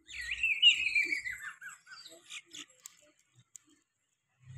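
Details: Bulbul heard at home: a bright, whistled phrase that slides downward over about a second and a half, followed by shorter scattered chirps and twitters that fade into quiet.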